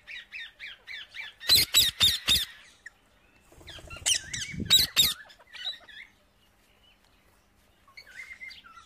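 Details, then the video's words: A wild parrot eats seeds, giving a rapid series of short chirps, then loud repeated crackling bursts mixed with chattering squawks, then scattered softer calls. "jungali parrot Dana khate hue"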